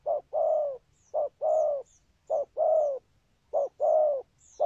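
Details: Cooing of a spotted dove: short note then a drawn-out throaty coo, paired phrases repeating steadily about once a second, with faint high chirps of other birds in the background.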